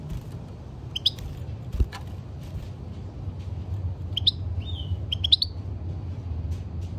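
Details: European goldfinch, a caged bird used for song training, giving a few sparse bursts of bright twittering chirps and one short whistled note over a low steady hum.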